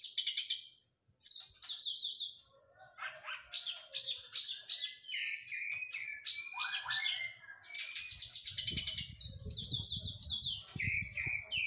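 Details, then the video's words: After its moult, an Oriental magpie-robin sings a long, energetic series of chattering trills, descending slurs and whistled notes, with a soft rumbling noise in the last few seconds. "KACER PRO HYPER LATIHAN FISIK PASKA MABUNG.!!!"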